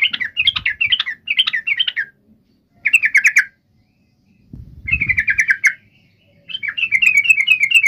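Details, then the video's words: Yellow-vented bulbul in lively song, used to provoke a rival to answer: repeated rapid chattering bursts, then pulsed rattles that fall slightly in pitch, with low background thuds between phrases. "trucukan gacor MEMANGGIL LAWAN ampuh JADIKAN burung trucuk gacor NYAUT SEKETIKA"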